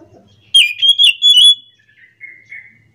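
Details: Orange-headed thrush singing in the morning: a loud burst of rapid warbled and whistled phrases around a sustained high note lasting about one second, followed by softer thin fading notes.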